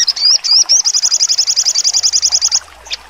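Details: Sogon performs its sharp 'nembak' trotol: a few looping whistled slurs launch a rapid, even trill of about twenty piercing notes, then it stops with one last faint chip.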